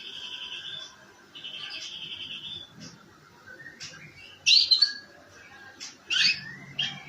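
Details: Canary singing rough riwikan, or ngeriwik, song used to coax other canaries into song; two sustained buzzy trills open, followed by quieter scattered chirps and two sharp, loud squeaky bursts near the end.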